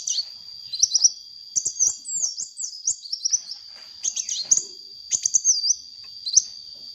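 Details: Chatty sunbird song used as a lure: bursts of high, thin, slurred chirps and squeaky twitters, broken by short pauses over seven seconds, over a constant high whine.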